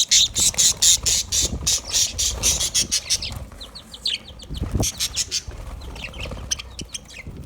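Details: Budgerigars chirping as they eat: a loud run of sharp, high chirps repeated about twice a second for three seconds, then quieter, scattered twittering notes.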